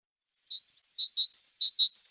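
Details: Great tit giving a series of about ten short, high, clear notes. They alternate between two pitches, one lower and one slightly higher, and repeat rapidly after a half-second pause. No other sounds are heard.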